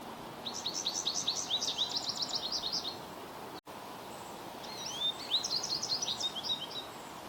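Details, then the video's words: American goldfinch in Ontario, giving two bursts of rapid high twittering: quick chirps and short wavering notes, one run over the first three seconds and another after a brief gap, against steady low outdoor background noise. "Bird Chirping Sound - American Goldfinch"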